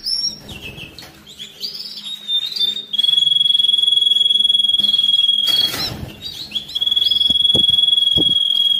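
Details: Canary song for training birds in the molt and rest period, used to excite males and prepare females for breeding: varied chirps first, then a long steady buzzing trill holding one pitch for several seconds.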